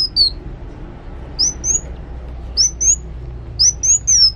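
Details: Kolibri wulung sunbird singing actively, with spaced phrases of two or three thin, very high slurred whistles against quiet low background hum.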